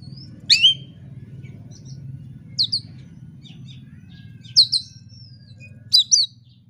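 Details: Oriental magpie-robin singing in fighting mode, searching for an opponent. Loud paired sharp notes with short descending flourishes, repeated roughly every two seconds over a low steady hum.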